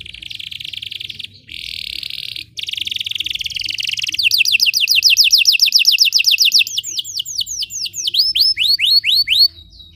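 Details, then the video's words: Belgian canary singing as training for other canaries: buzzy sustained rolls broken by short pauses, then a fast run of sweeping notes ending in slower, widely spaced descending whistles. "Belgian canary singing makes your canary sing"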